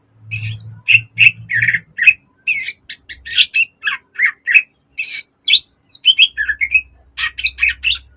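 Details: Green leafbird kept in a cage, in full song as a training master: dense burst of harsh chattering and whistled notes, bursts of shrill high squeaks, with a low hum at the start and end.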